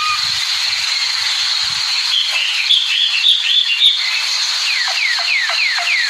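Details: American singer canary with a bright sustained warbling trill, then a short series of clear descending whistled slurs repeated about every half second at the end.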